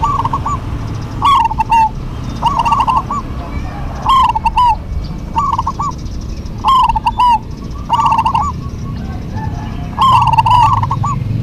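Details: Duet of local zebra doves: about eight loud, rolling, bubbling coo phrases, each under a second long, repeated roughly every one and a half seconds over low background rumble.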